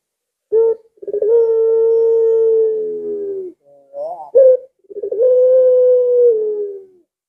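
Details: Two lengkungan-style coos from a collared dove, each opening with a rolling burble and stretching into a long, low, slightly falling tone, separated by a short rising note.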